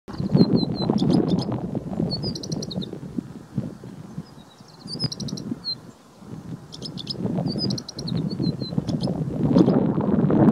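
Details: Male Rufous-capped lark singing at short range in Wadi Reema, a wide wadi north of Abha, Asir Province, southwest Saudi Arabia: thin, high chirped phrases in short repeated bursts over strong wind rumble.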